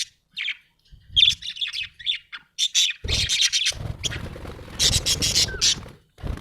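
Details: Happy budgerigar chirping in quick, squeaky bursts that swell into continuous scratchy chatter over a low rumbling background noise.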